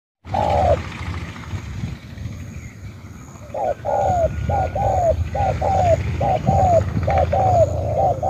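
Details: Spotted dove from Cà Mau, Vietnam. After a short coo and a pause of about two seconds comes a quick series of soft, low, hollow coo notes in a steady run, with a faint thin hum above.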